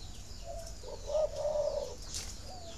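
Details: Spotted dove coo for stimulating breeding: soft low preliminary notes, then a short accented coo and a longer level coo, while small birds chirp faintly in the background.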